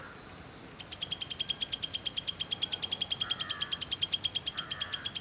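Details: A jungle prinia at Valley School, Bangalore, Karnataka, India, gives a long, rapid series of high, sharp ticking notes, about eight per second, with faint lower sounds in the background.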